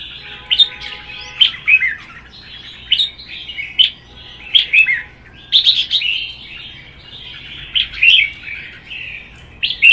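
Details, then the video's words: Captive red-whiskered bulbuls trading contest song: rapid short warbled phrases repeated roughly every second or two for ten seconds, bright and bubbly with sharp clicks between, over a faint hum. "CHÀO MÀO | Hót đấu kích ché"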